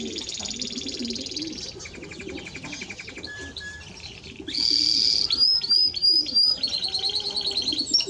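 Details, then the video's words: Timbrado Español canary song: a dense buzzing high trill, a lower pulsed rattle, brief held tones, then a loud bright burst and sweet whistled notes. "Timbrado Español Canario song - Canario Cantado"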